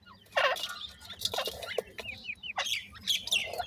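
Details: Francolin chicks, described as happy in summer, giving a busy mix of short downslurred peeps and chirps with some harsher bursts, several birds calling at once.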